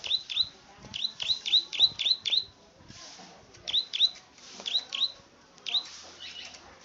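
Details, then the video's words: Plain prinia, known locally as the klik-klik or rice-field bird, singing actively: rapid bursts of sharp, high clicking notes with quick upward flicks, repeated in fast runs separated by brief pauses. "Burung KLIK-KLIK GACOR / BURUNG SAWAH"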